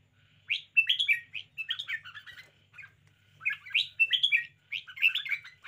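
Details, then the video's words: Spirited red-whiskered bulbul in full display, pouring out continuous bright, bubbling whistled phrases with rising and falling notes in lively, quick succession. "นกกรงหัวจุก 90 chao mao. bulbul birds. red-whiskered. cambul."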